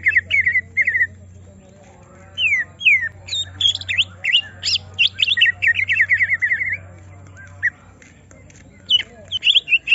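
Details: A caged greater green leafbird being provoked into showing its full song pours out swooping whistles and a fast run of repeated slurred notes, with a low hum running in the background.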